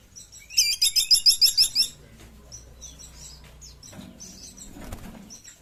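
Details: Sunda pygmy woodpecker with a quick burst of roughly eight strident, high chattering notes, then weaker high chirps and a brief low thump near the end.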